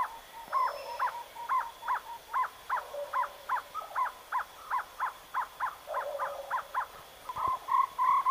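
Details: Jungle owlet, known locally as ചെമ്പൻനത്ത്, giving a long series of short, even, mid-pitched notes at roughly three per second over eight seconds, with faint hiss and other soft sounds beneath.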